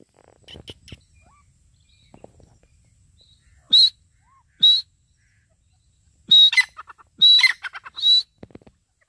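Grey francolin giving loud, shrill, high-pitched notes: two single calls about a second apart, then a quick harsh run of three or four. Faint clicks and handling noise early on.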